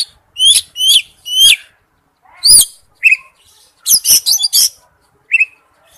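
An Oriental magpie-robin male calls to a female with sharp, high whistled notes, some upslurred, given in quick bursts with short pauses; no other sounds.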